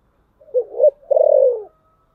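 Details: Lure spotted dove calling in the thổ sấm style to attract wild birds: a single deep coo phrase, a short hoarse note, then a longer rolling, gently falling coo.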